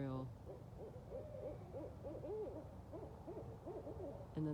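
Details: Night chorus of at least four Barred Owls caterwauling: overlapping bursts of arched, bouncing hoots from several birds, with a person's voice briefly at the start and end.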